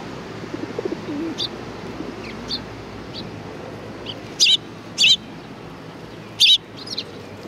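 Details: Sparrows come to be fed at a Tenmangu shrine, 25 April 2019. After a few faint distant tweets, three loud, abrupt high chirps ring out in the second half, followed by a softer double chirp.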